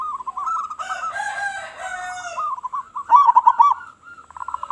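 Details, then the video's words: Local Zebra dove calling to lure other doves: continuous rolling coo trills throughout, briefly overlapped by a harsher harmonic-rich call, then a louder bubbling burst and quick pulsed notes. "Perkutut Lokal Gacor Suara Besar Suara Paling di Sukai Burung Perkutut apa Saja"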